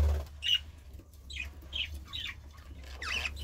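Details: Five or six short, soft budgerigar chirps, roughly evenly spaced about half a second apart, over a low background rumble.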